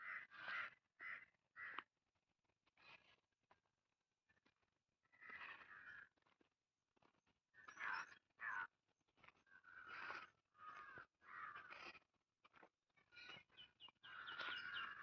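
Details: Indian crows in green village surroundings of Hosur, India, caw harshly and hoarsely in uneven bursts, some single and some in quick pairs, about a dozen calls with short silent gaps between them.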